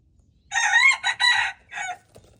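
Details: Red junglefowl, recorded 13 February 2025, gives a loud, harsh crow: a long first phrase, a brief break, a second sustained phrase, then a short final note, against a quiet background.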